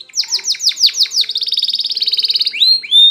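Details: Spanish Timbrado canary, recorded for canary training, sings a run of downward-sweeping notes into a long rapid metallic trill, then two rising whistled notes; faint low tones underneath.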